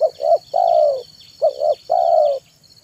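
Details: Afternoon song of a spotted dove, played to attract wild birds: paired short coos followed by a drawn-out, low, throaty note, repeated twice in quick succession, with a constant high-pitched hum behind.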